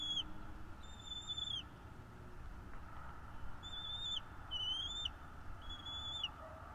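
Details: North East Florida nest-cam recording, 12.02.2022 at 16:09, of a bald eagle giving thin, high whistled chirps that end in a quick drop, in two clusters with a quiet gap between, over low constant background noise.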